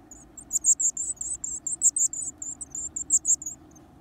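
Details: Several hungry, lively Varied tit chicks in the wild, eating large insects, give a rapid series of very high, thin, squeaky notes, about fifteen bursts in four seconds, over a faint low hum.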